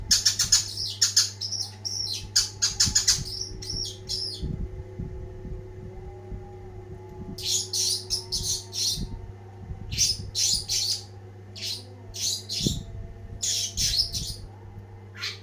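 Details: Cendet, the long-tailed shrike, in full energetic song: rapid clusters of sharp high chips and scratchy notes in bursts separated by short pauses, over a constant low electrical hum.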